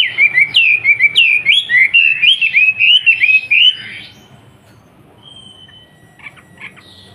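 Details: Master song of a Wambi kept in Surabaya for teaching young trucukan bulbuls and other songbirds. Rapid chain of sharp whistled notes that swoop up and down for four seconds, then near silence with a few faint chips.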